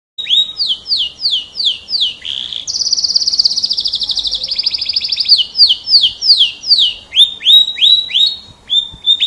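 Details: Caged F1 canary singing loudly: repeated downslurred whistled notes about three per second, then a long buzzy trill, then more rolling slurred notes.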